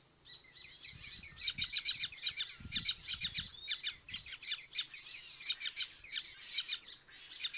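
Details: A White-fronted Woodpecker (Melanerpes cactorum) at Mariscal Estigarribia on 09/08/2022 gives busy, high chattering calls in quick overlapping bursts that run through the clip, with a few low thumps underneath.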